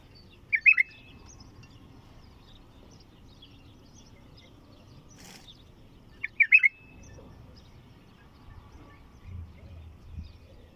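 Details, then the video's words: Bulbul singing: two short, bright warbled phrases about six seconds apart, each a quick cluster of rolling notes, with quiet background hum between. "تغريد بلبل طور"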